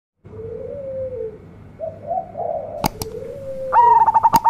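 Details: Local-strain zebra dove, a frequent, big-voiced singer: soft low coos gliding up and down, a few sharp clicks, then a loud, clear, steady tone broken into rapid pulsed notes at the end.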